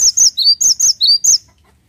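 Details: A cinereous tit in full song gives crisp, high whistled two-note phrases, a high downslurred note then a lower rising one, repeated rapidly and evenly before stopping abruptly.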